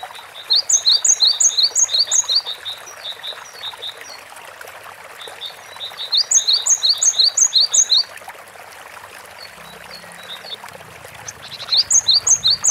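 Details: Cinereous tit in lively gacor song, with rapid runs of sharp paired high whistled notes. Three bursts of about six repeats each are separated by pauses of several seconds, with constant hissing noise behind.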